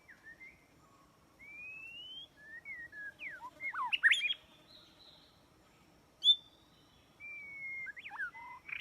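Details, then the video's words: Trapping-lure song of a white-rumped shama: long drawn rising whistles and quick slurred notes, a cluster of sharp chips in the middle, a single loud note after a pause, then further whistled phrases. "Jebakan burung murai batu"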